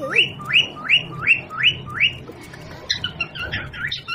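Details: Parrot at home with a baby: six evenly spaced, upward-sweeping whistled calls, then a rougher, noisier chattering burst.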